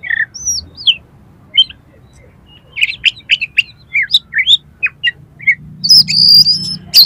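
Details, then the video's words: Kacer (oriental magpie-robin) singing a steady stream of learned material used to trigger competition birds: scattered bright chirps and short slurred whistles, gathering pace, finishing with a sustained high trilling whistle over faint low hum. "KACER GACOR FULL MATERI MIUNTAH ISIAN || COCOK UNTUK PANCINGAN KACER LOMBA"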